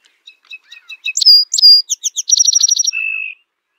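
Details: Male Song Sparrow of North America sings to declare territory and attract females: soft introductory notes, two bright slurred whistles, a fast buzzy trill, then a long even buzz at the end.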